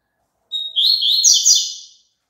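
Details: Double-collared seedeater song, played so a caged bird will sing along: a short whistled note, then a fast, buzzy twittering run of high notes lasting about a second and a half.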